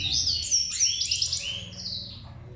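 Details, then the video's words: Goldfinch singing a brisk, dense string of high, sweet twitters and slurred trills, lasting under three seconds, over a faint low hum. "Gold Finch The Best singing video"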